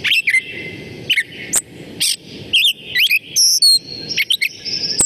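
Gray Catbird rambling through a jumble of squeaky chips, slurred whistles and buzzy notes, each brief phrase different from the last with no repeated pattern.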